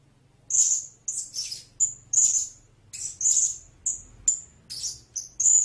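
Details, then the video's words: Series of shrill, high-pitched squeaks and short sibilant chirps from a blue-crowned hanging parrot, irregularly spaced, some slightly harsh or buzzy, over a faint low hum. "เสียงนกหกเล็กปากดำ Blue-Crowned Hanging Parrot Sound"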